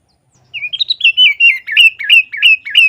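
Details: Loud, clear sooty-headed bulbul 'gacor' song for tutoring caged birds: a rising run of chirps leading into rhythmic, evenly repeated bubbly whistled phrases, about three per second.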